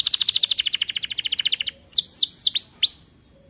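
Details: A young canary just starting to sing, kept in an aviary: a fast run of high repeated chirps lasting over a second, followed by a few loud downward-sweeping whistles before it falls quiet.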